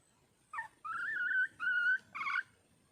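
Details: Wild red junglefowl hen calling for a male: a short dipping note, then two long, level whistled notes and a final wavering note, all clear against a quiet background.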